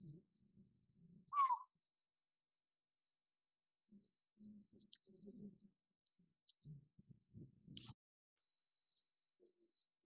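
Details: Juvenile Collared Scops Owl, subspecies Otus lettia glabripes, utters a single loud, rasping, downward-slurred note early on. Low murmuring rumbles and thumps follow, with a thin high cricket trill throughout.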